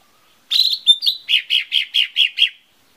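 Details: Lesser green leafbird lure song: a quick warbled opening with thin whistles, then a steady series of seven rounded, buzzy notes spaced roughly a quarter second apart.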